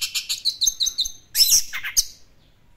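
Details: Orange-headed thrush in vigorous classic-style song: a quick series of high chirped notes repeated about every sixth of a second, then a louder buzzy, tumbling flourish before fading out.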